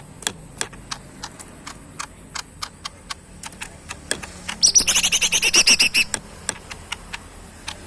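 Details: Tame caged bulbul kept as a pet and fed banana, chicken feed and crickets, singing actively: scattered sharp clicks and ticks, then a fast burst of rapid high chattering notes around the middle, followed by more sparse clicks.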